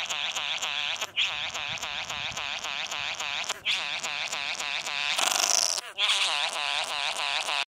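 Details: A male Satin bowerbird courting a female at his bower on a suburban street verge in Australia in October gives a fast, buzzy, whirring display of rapid mechanical pulses, briefly broken by a harsh rasping burst near the end.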